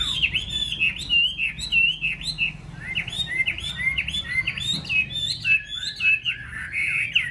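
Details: Yellow-billed Chinese hwamei singing in a cage indoors, a fast stream of bright whistled notes and looping slurs, each phrase quickly followed by another, with a low background rumble.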